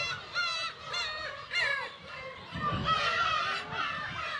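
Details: Black-tailed gull colony on Kabushima island, Aomori, Japan, on 10 June 2020 in early summer with chicks: several loud, drawn-out mewing calls rise and fall above a chorus of distant gulls.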